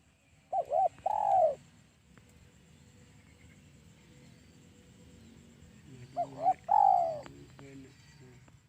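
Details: Spotted dove call used as a lure for trapping doves: two short clipped notes followed by a longer falling coo, given twice about five seconds apart, with a low background hum between.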